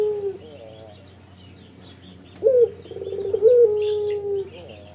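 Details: Male spotted dove in full voice, its long mournful call offered as a model for training birds: a low, tonal coo with short stuttered notes and a long level note, over steady low hum and faint chirps from other birds.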